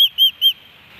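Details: Osprey at a nest in Hellgate Canyon, Missoula, Montana, on 13 July 2018, a day of three fish deliveries. Three short, clear, high whistled notes, about a quarter second apart, are followed by quiet.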